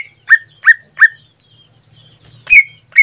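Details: Captive greater green leafbird in active song: three evenly spaced, loud, downslurred whistled notes, then a short pause and two brighter, higher chipping whistles.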